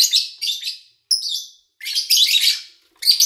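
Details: Lovebirds in August 2019, recorded with little engine noise or human activity nearby; scratchy chirps, a thin whistled squeak, then a dense buzzy burst of chatter.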